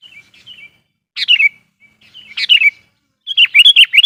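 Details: Sooty-headed bulbul, a trained lure bird, singing to provoke and call in wild bulbuls: short bright whistled phrases falling from high to lower pitch, three loud bursts about every second, with softer warbled notes between.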